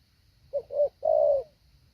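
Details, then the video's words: A decoy spotted dove in training, with a patterned call, utters a single phrase of two short hooting notes leading into a long mellow coo that trails off, over a soft hum. "Mồi tập hạ bổi"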